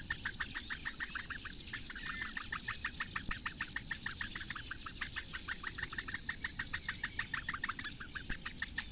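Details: Four Eurasian bittern chicks in a webcam nest in the reedbeds of Lake Engure, Latvia, at 08:46 on 15 May 2017, begging while the female feeds them: rapid, steady ticking notes, several per second, continuing throughout.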